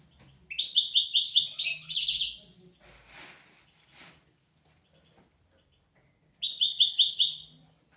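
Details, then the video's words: European goldfinch singing, a recording meant to teach goldfinches and canaries: two bright, fast trilled phrases of repeated high notes about six seconds apart, with faint soft chips and rustling between them. "تغريد طائر الحسون حفاضة لتعليم طيور الحسون والكناري"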